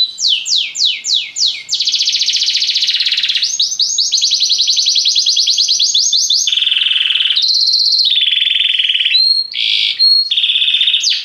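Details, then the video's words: Belgian canary song moving through several sections: falling sweeps, a buzzy rolling trill, faster clicking rolls, then alternating pure whistled tones and short trills. "Canários belgas atraem o som das canções preguiçosas dos canários"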